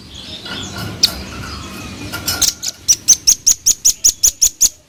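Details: After a quiet start with a single chip, a velvet-fronted nuthatch breaks into an accelerating, then steady trill of about a dozen thin, very high, evenly spaced notes.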